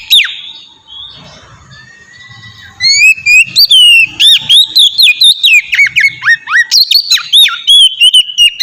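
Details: Oriental magpie-robin (kacer) singing in the ngeplong style, played to lure other magpie-robins into singing: opens with a long thin whistle and softer notes, then bursts into fast, loud, varied whistles and chirps.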